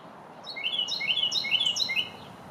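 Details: Carolina wren recorded in New York in spring, giving one rich burst of four or five repeated loud whistled phrases, each a quick falling-rising slur, rolling steadily before stopping, with low background hiss.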